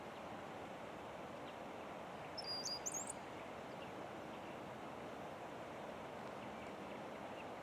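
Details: A Brown-headed Cowbird at Steigerwald Lake National Wildlife Refuge, Washington, USA, on 28 May 2010, gives one brief burst of very high, thin, sliding whistles lasting about a second, over a steady background hiss.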